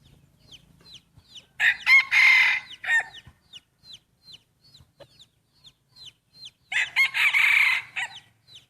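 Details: First crowing contest between breeding roosters: two loud, coarse crows about five seconds apart, each broken into rough pulses, over a constant backdrop of quick high chirps from small birds.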